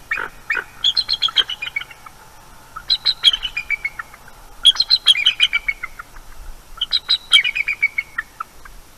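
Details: Eagles calling in alarm at night, 23 October 2021, defending their nest from a harassing owl, recorded by nest camera: four loud bursts of quick, high chittering notes, each series stepping down in pitch, separated by short pauses.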